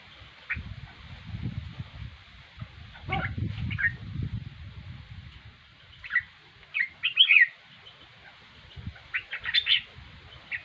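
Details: Red-whiskered bulbul giving scattered short chirpy notes and quick warbled phrases in bursts, with gaps of near silence and low thumping noises in the first half.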